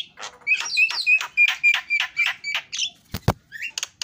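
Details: Javan myna repeating a quick series of ringing, slightly buzzy notes, followed by a couple of loud knocks and a brief whistle.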